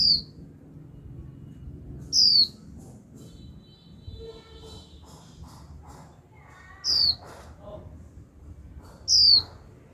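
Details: Young female white-eye in captivity calling 'chíu' continuously to excite a male into singing. Four high, falling whistled notes at uneven gaps, with muffled clatter and voice-like noises between them.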